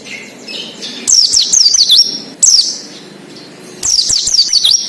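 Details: Oriental white-eye, wild-style 'ngalas' song, played as a lure to get untrained captive birds singing: three bursts of high, rapid zigzag twittering notes, each lasting about a second, separated by brief quieter gaps.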